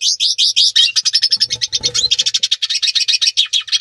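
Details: A hooded siskin (Spinus magellanicus) gives its courtship song, a fast, continuous twittering of high buzzy trills and chattering notes, with a faint low murmur in the background.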